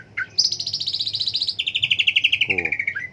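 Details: Cak ijo (green leafbird) singing a long, rapid, pulsed trill that starts very high, drops partway through, and slowly descends, ending in a short slurred note. A brief low harmonic buzz is audible near the end.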